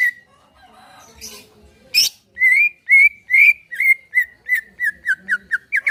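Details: Caged greater green leafbird singing as a prompt to get another caged bird to sing: a run of loud, clear whistled notes, slurred and repeated about twice a second, opening after some soft chatter and a sharp burst.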